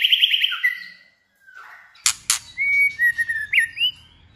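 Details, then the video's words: Wild-voice female white-rumped shama song: a bright trilled whistle, a pause, two loud clicking bursts, then smooth level and rising whistles. A low rumble sits beneath. "chòe lửa hót giọng rừng hay nhất .tiếng chòe lửa mái rừng hót hay kích trống hót"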